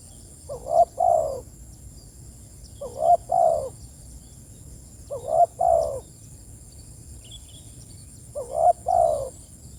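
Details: Spotted dove calling to its companions with four evenly spaced two-note coos, roughly every two and a half seconds, a quick rising note then a fuller descending croo, against a steady faint high hum.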